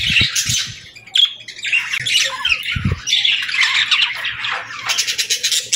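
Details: Happy budgies greeting the morning give harsh squawks and bright chirps in uneven bursts, with several soft low thumps and short gaps between calls.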